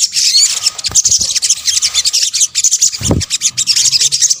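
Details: Sunbird calls used as a bird lure, known as sogok ontong: a steady stream of rapid, high, sizzling chips and twitters with a couple of dull low thuds in between.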